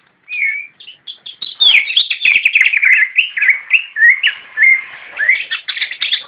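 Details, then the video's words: Javan white-eye in 'nyinden' song: a short whistled opener, then a long continuous twittering ramble of rapid slurred notes rising and falling, dense and unbroken for several seconds. "Cicak rowo nyinden"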